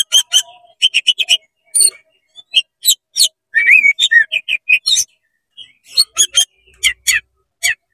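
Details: Oriental magpie-robin singing quick 'konslet' phrases to heat up other magpie-robins: bursts of sharp clicking chips, a rolling warbled whistle midway, then spaced crisp notes.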